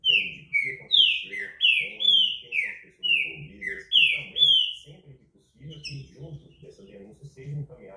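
A green-winged saltator sings loud, rich whistled notes, each sliding downward, in a quick run of about ten notes over five seconds. People talk quietly in the background.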